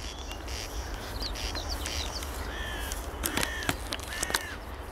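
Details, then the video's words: A corn crake calling from grass by the Vistula in Warsaw, 13 May 2022: harsh, dry rasping double 'crex-crex' calls, loudest near the end, over a steady low rumble with faint chirps from other birds. "Derkacz odzywa się der der w trawie"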